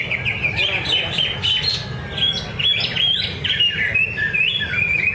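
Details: Greater green leafbird singing at a bird singing contest training session at Danau Bumi Restu, Cikunir. Its song is a quick run of bright, varied whistled notes and short slurred phrases that rise and fall, over a steady low crowd and engine rumble.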